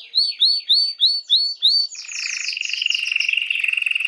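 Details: Canary singing to stimulate females for mating: six clear upswept whistled notes about a third of a second apart, then a continuous fast rolling trill.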